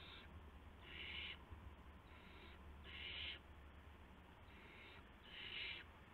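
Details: Nestling owls calling on the night of March 19, 2016, while the parents bring mice and a gopher. Six rasping hisses alternate soft and loud, about one a second, with a low steady hum behind them.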